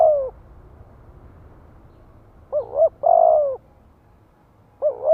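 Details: Cooing of a spotted dove kept to entice wild doves into calling back: the tail of one coo, then a double-humped hoot with a long steady coo, and another hoot starting at the end. Soft background rumble.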